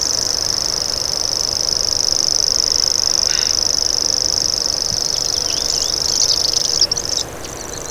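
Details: Common grasshopper warbler (Locustella naevia) delivering a long, even, high-pitched insect-like reel, with a brief chirp midway and other bird notes near the end before the buzz fades.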